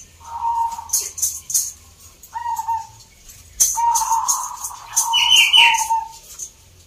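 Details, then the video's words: Local zebra dove competition in Salatiga, Central Java, Indonesia: low, liquid coo notes followed by a long trilling coo phrase and a brief higher squeak, with clicking sounds above. "EDAN BUNYINYA ISTIMEWA 🔴 Perkutut gacor door"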